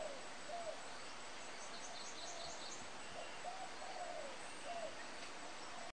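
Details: A Pin-striped tit-babbler cleaning ants from its nest in July 2014 gives soft, hollow hooting notes, some spaced singly and some in short runs. Steady background hiss and faint high chirps from other birds sound underneath.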